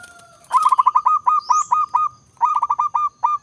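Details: Zebra dove of the prized Raja type singing in the nritik Songko buono style: rapid series of short ringing coos near one pitch, two bursts with a brief pause, plus a faint steady tone and a short whistle.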